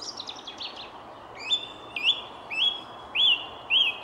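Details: In the Jardin du Roi, Versailles, a song thrush, one of many there, sings on a misty, sun-pierced 19 February morning near 9:30: brief scratchy notes, then a ringing whistled phrase repeated five times about every half second.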